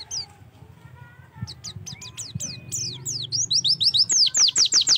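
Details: Oriental white-eye song meant to prompt singing: faint background chatter and a soft low hum give way to an accelerating string of high, piercing, downward-sliding whistled notes that grows louder toward the end.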